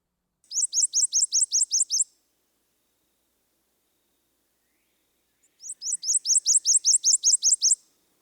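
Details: A Prothonotary Warbler, the golden swamp warbler, singing in a swampy place: two ringing bursts of about nine loud, high, sweet notes each, rapid and evenly spaced, separated by a few seconds of silence.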